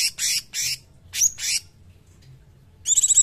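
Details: Grey-cheeked bulbul (cungkok) uttering loud, rough squawks in quick succession, a short silence, then a buzzy, rattling harmonic trill; faint low hum behind.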